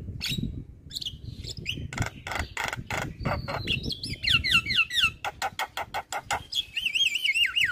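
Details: Javan myna in energetic full-repertoire gacor song, meant to excite other mynas into singing: rapid harsh clicks and rasps, then a rising whistled slur and a run of wavering, warbled whistles, with low rumbling background noise.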